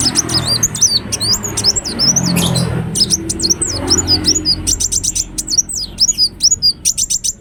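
A ruby-cheeked sunbird sings a rapid, very high stream of thin twittering notes, ending in quick sharp chips, over a faint low hum.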